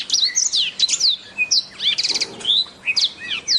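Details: Rapid black-throated canary song: high whistled upsweeps and downslurs, a quick stuttering trill in the middle, and scattered sharp chirps, all closely packed.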